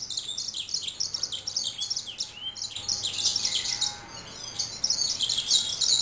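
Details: Male yellow-rumped seedeater singing: a rapid, continuous jumble of high, sweet chirps and trills, several notes a second, with faint background hum.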